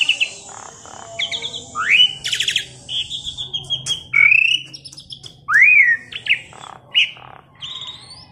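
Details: Tame, talkative Asian pied starling serving as a master bird for training others pours out whistled slurs, two strong upward-then-falling swoops, buzzy rattles and scattered clicks, with a low steady hum underneath.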